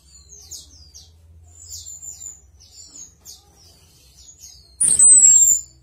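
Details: Chestnut-capped thrush (Anis Kembang) giving a series of soft, very high, thin chirps and short ticking notes, then ending in a sudden loud, sharp, high burst of sound.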